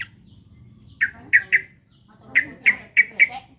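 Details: Threatened sooty-headed bulbul, known locally as trucukan: sharp, emphatic single chips, three in a quick group and then four more after a short gap, against faint low rumbling.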